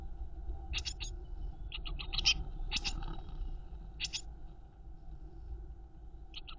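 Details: Eurasian blue tit young in their nest box, fed by the mother, utter scattered short high hissing begging bursts with quiet gaps, over a soft low background hum.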